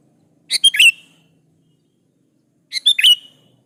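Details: Two chattering whistled phrases from a sooty-headed bulbul in full song, meant to call rivals and get other bulbuls to answer. Each phrase is a few sharp notes running into a bright falling whistle.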